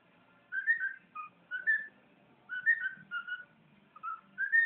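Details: Pet bird whistling indoors: short clear whistled notes in small groups, some rising, with quiet pauses between phrases.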